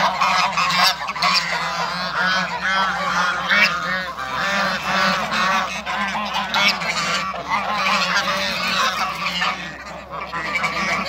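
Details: African and Toulouse geese in a backyard with other waterbirds: a flock honking almost nonstop, loud nasal calls overlapping in a dense chorus, over a steady low hum.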